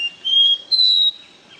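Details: Caboclinho seedeater in 'ré mi' song style, giving two loud pure whistles that step upward in pitch, each about a third of a second long.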